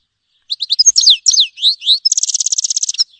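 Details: Song of a grey-headed goldfinch, a songbird of the finch family: quick chirps and descending slurred whistles followed by a rapid buzzy rattle of high notes repeated several times per second.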